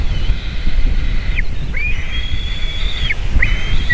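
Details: Eagle female and eaglets crying around landing and feeding, 7 June 2023 in late afternoon; drawn-out high whistled wails, each held about a second and ending in a quick downward slur, repeated three times over steady low noise.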